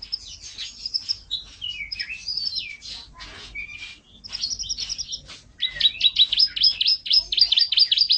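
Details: Canary singing a fast varied warble of high twittering notes and slurred whistles, ending in rapid repeated trilled chips.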